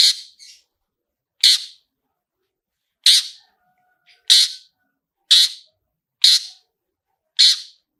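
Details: Harsh, scratchy single notes from a long-tailed shrike, repeated roughly every second in an irregular series. Part of a 'toet toet' lure recording with rich fill song, used to provoke other shrikes to sing.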